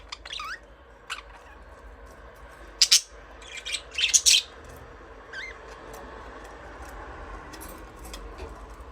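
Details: Budgerigars chirping, brief rising whistled chirps and loud clustered harsh bursts in the first half, then sparse soft ticks over faint hum.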